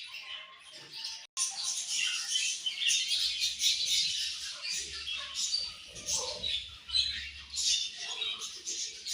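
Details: Colony of budgerigars chirping during morning food time, a constant high twittering murmur with irregular louder chirps, following a brief click near the start.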